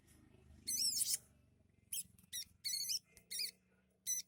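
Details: Home-kept sunbird mimicking birds such as the sparrow and prenjak lumut: a loud wavering trilled burst, then short rippling high notes repeated with brief gaps, over faint low background noise.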